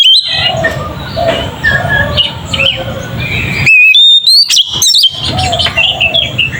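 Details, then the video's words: Oriental magpie-robin ngeplong song, used as bait to make other magpie-robins agitated. Soft, varied warbling over a hissy background, interrupted midway by loud, piercing whistled notes with sharp rising flicks. "Suara burung Kacer ngeplong ini sangat ampuh untuk pancingan kacer"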